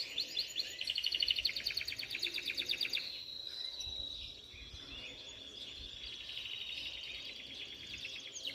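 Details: Several canaries singing a lot, with fast rapid-fire trills and rolling repeated notes, followed by a long sustained high whistle; background noise throughout.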